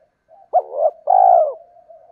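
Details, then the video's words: Spotted dove, male and female birds, calling to excite wild males for decoy training. One low phrase: a brief hum, a sharp throaty note, then a long mellow coo fading into a soft steady tone. "tiếng chim cu gáy kích bổi mới và tập mồi hiệu quả"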